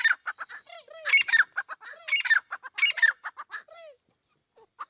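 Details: Iranian teetar partridge calling in quick runs of scratchy, noisy squawks mixed with low curved notes, three main clusters followed by near silence and a final burst.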